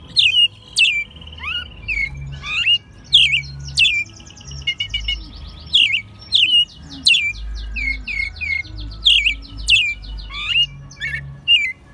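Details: Captive American robin, hand-raised from a chick and in its second year, sings in March 2020 in Mexico City, rapid sharp slurred whistles and high squeaky notes in quick bursts over distant traffic rumble.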